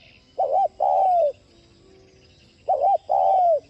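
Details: Spotted dove coo, used to rouse other doves into cooing. Two identical phrases about two seconds apart, each a quick doubled note followed by a drawn-out, gently falling coo, over a steady low hum.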